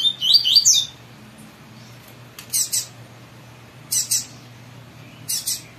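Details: Caged Double-collared seedeater answering another bird, showing its fibra while pulling straw: a quick bright song phrase at first, then three short bursts of harsh, buzzy notes, amid low indoor hum.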